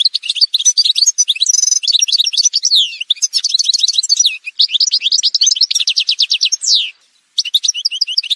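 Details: Continuous Algerian goldfinch song from a parva bird, a dense stream of high chattering notes, rolling trills and descending whistled slides, with one short break near the end before the twittering resumes.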